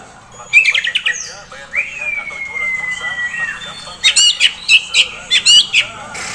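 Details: Young caged Oriental magpie-robin, a contest prospect, opens with a quick stuttered rattle, draws out a long clear level whistle, then delivers a string of loud, evenly spaced sharp chirps.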